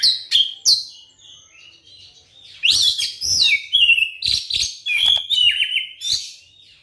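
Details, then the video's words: White-rumped shama singing as a lure to make other shamas sing: sharp downslurred notes, a quieter stretch, then a loud tumbling series of whistles and harsh chips. "suara pancingan kacer terbukti ampuh bikin kacer macet langsung on gacor bukor"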